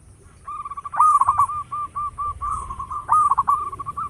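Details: Local zebra dove in full song, used to lure other birds: a stuttering trilled coo opens, then a string of short even notes and a second bubbling burst near the end.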